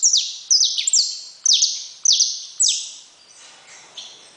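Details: A saffron finch gives a run of high, downward-slurred notes in quick succession. The song fades to softer, fainter notes near the end.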